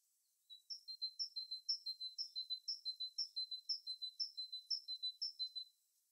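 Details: Wild bird in natural habitat sings a steady, even series of about eleven very high phrases, two per second, each a sharp bright note dropping to a thin lower whistle, with silence before and after.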